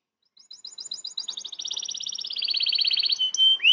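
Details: Canary rolling song from a master recording used to train young magpie-robins: rapid, evenly repeated trilled notes that speed up and drop in pitch into a smooth continuous roll, ending in a sharp upward-sweeping whistle.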